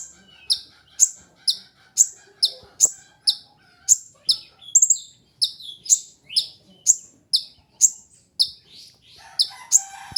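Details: Kolibri ninja sunbird, used for luring, filling-in and mastering songbirds, giving a fast series of sharp, high chips about twice per second, each a short downward flick, with a brief buzzy note midway and faint low hum behind.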